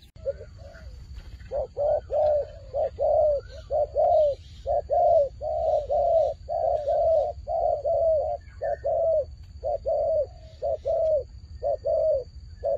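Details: Long steady series of purring coos from a fighting turtle dove, evenly spaced at about one per second, often paired, with a faint high steady tone behind.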